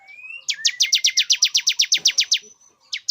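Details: Luring song of a male Bar-winged prinia for a female coming into breeding condition: a rising thin whistle, then a rapid series of sharp high chips, ending in a short pause and two more notes.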